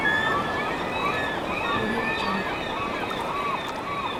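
Several gulls give overlapping harsh, nasal mewing calls, rising and falling, over a steady wash of water.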